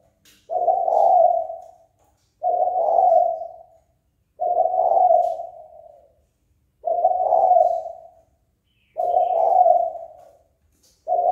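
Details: Kept spotted dove calling to provoke a rival into fighting; low, hoarse, rolling coo phrases, each about 1.5 seconds long, with five phrases separated by roughly two-second pauses in a quiet setting.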